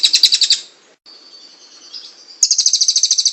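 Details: Long kingfisher call used for training songbirds: a quick burst of piercing repeated notes, a thin drawn-out tone in the middle, then another fast rattle of high notes.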